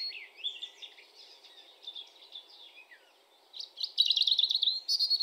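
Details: European robin singing a thin, high, wandering warble of varied whistled notes, with a soft slurred start, brief pauses, then a louder, quicker run of tumbling twittering phrases toward the end.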